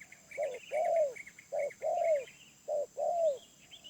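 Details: Wild spotted dove, medium voice: three pairs of soft low coos, each a short note then a longer arched note sliding downward. Busy high chirping and twittering from other birds runs underneath.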